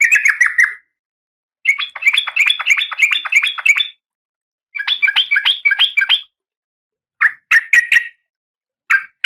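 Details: A female oriental magpie-robin in breeding condition calls a male, giving bursts of fast, scratchy chattering notes lasting one to two seconds, separated by short pauses, ending with a few single chirps.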